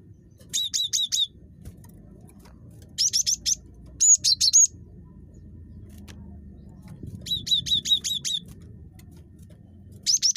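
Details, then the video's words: Cinereous tit (gelatik batu) in a very chattery mood, sending out five bursts of rapid, high-pitched repeated notes, four to six notes apiece, with faint low rumble throughout. "GELATIK BATU SUPER CREWET"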